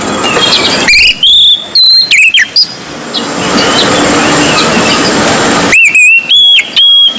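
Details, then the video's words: White-breasted Kacer Poci, the Oriental magpie-robin, singing gacor ngobra style: a quick cluster of loud piping whistles early on, a long stretch of background hiss, then clear level whistled notes repeated rapidly near the end. "BURUNG KACER DADA PUTIH GACOR NGOBRA"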